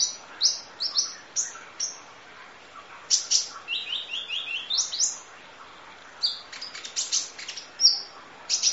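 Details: Full isian nembak masteran of kolibri ninja, Van Hasselt's sunbird: a lively sequence of very high whistled flicks, a short descending run of four notes, then rapid trills and piercing chirps in quick succession.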